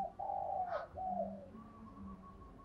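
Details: Female spotted dove call, played to get males to coo: two soft, low, drawn-out cooing notes with a short break between them, against a quiet background.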